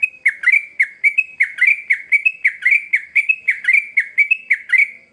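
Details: Yellow-vented bulbul (trucukan) singing intensely, used as a lure to train young birds: a rapid, unbroken run of bright, short chirped notes, about four each second, some slurred up, some down, with a clean, quiet background.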